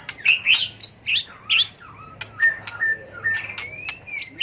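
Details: White-rumped shama, tail-flicking, giving competitive fighting song used to train birds to sing: loud varied whistled phrases, some rising and slurred, mixed with sharp clicks and brief pauses between bursts.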